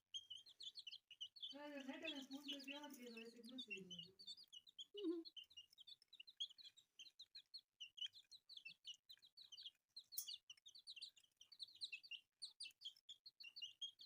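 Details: Many newly hatched chicks cheeping in quick, high, repeated notes throughout, while a lower drawn-out voiced sound rises briefly near the start.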